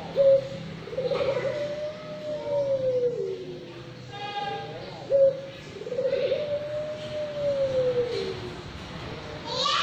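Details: A young 5-month-old Barbary dove, known locally as puter pelung, gives two long low coos about five seconds apart, each opening with a short clipped note, then a drawn-out smooth note rising and gently falling; brief other sounds between.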